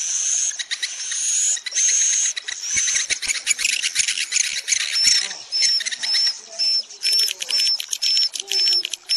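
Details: Swiftlets calling, used to make them stay overnight in a building. A shrill buzzy chatter first, then a steady run of short clicking chirps and upward-flicking whistles about twice a second.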